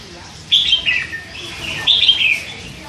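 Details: Young red-whiskered bulbul, hand-fed and three months old, uttering two soft chattering bursts of slurred, descending whistled notes about a second and a half apart.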